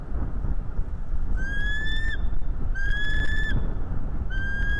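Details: Bald eagle on a live nest cam, calling while chasing a stranger eagle away: three drawn-out, slightly rising whistled notes with a fluttering, chittering edge, about a second apart, over steady low wind rumble.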